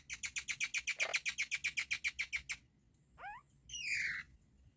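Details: Baby myna birds feeding, one sprawled over its sibling as they eat; a rapid run of harsh, buzzy calls about four per second for over two seconds, then two separate rising squawks.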